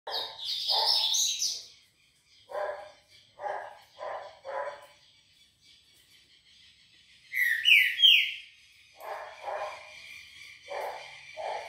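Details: Green-winged Saltator (Saltator similis) at 6:30 on a Monday morning, 18 October, giving loud, rich, upward-sweeping whistled phrases, mixed with a man's voice greeting it and short lower barking or voiced sounds.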